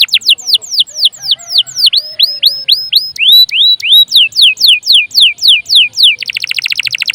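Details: Singing canary, played to lure other canaries into song or to tutor other birds: a series of loud, sharply down-slurred whistles repeated about four per second, ending in a fast, buzzy rattle.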